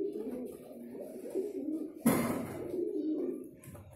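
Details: Soft, continuous pigeon cooing during courtship, interrupted by a single loud knock partway through.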